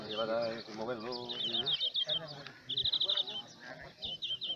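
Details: European greenfinch at a song contest in El Torviscal, Seville, 2018, gives rapid, high twittering trills in quick bursts, with a man's voice talking over the opening seconds.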